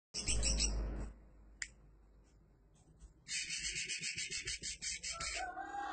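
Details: Greater green leafbird song: after a loud low rumbling noise and a quiet gap, a fast run of bright, high, pulsed chattering notes repeated several times a second for about three seconds.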